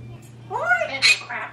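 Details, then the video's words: African grey (26 years old) and Quaker parrot (16 years old) left alone at home: a speech-like phrase with rising then falling harmonic tones ending in a harsh squawk. "When Parrots Are Left Alone"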